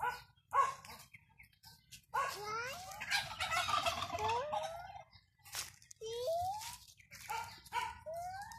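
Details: Domestic pet turkeys give nasal, rising yelps and whining notes, with a dense burst of overlapping flock chatter partway through; a faint low hum runs underneath.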